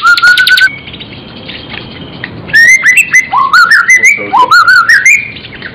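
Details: Magpie-robin (murai, genus Copsychus) in full gacor isian song: loud buzzy opening, a held whistle, then rapid stepwise rising whistled phrases mixed with sharp metallic clicks.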